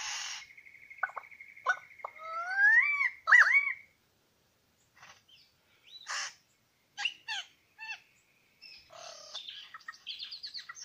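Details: Male Superb Lyrebird singing at Lookout Point, New England National Park, two males present: a fast even trill, rising swoops and sharp whistles, then separate clicking notes and a mixed noisy close.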